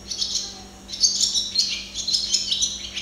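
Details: Barn swallow (Hirundo rustica) observed singing: an unbroken chatter of high, scratchy twitters and thin chirps, brief dip in the middle before resuming.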